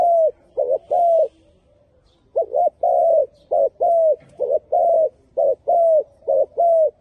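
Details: Spotted dove cooing in a steady pattern: short and longer mellow coos grouped in repeated phrases, a brief pause after the first phrase, then the sequence resumes with about a dozen soft, hollow notes.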